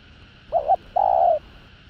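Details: Spotted dove cooing to excite rival males: a soft wavering double note, then after a short gap a long, even, hollow coo, with a faint steady hum behind.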